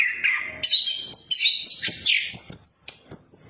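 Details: Orange-headed thrush singing in the ngeriwik and ngeplong style, used as a lure for silent birds: a low whistle, then bursts of high twittering and rising sweeps, with short clicks between.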